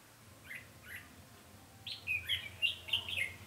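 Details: Red-whiskered bulbul singing as a trapping decoy on 20 November 2015: two soft notes, then a rapid bubbling run of bright, slurred whistled notes building in loudness toward the end.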